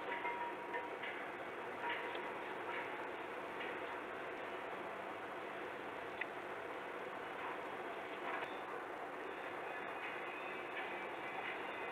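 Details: Steady rushing background noise, like distant traffic or a passing train, with faint ticking clicks and no clear animal calls.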